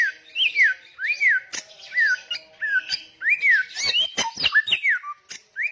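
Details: Samyong singing loudly and persistently: arched whistled notes that rise and then fall, repeated at a steady pace, followed by a burst of sharp ticks and quick twisting whistles.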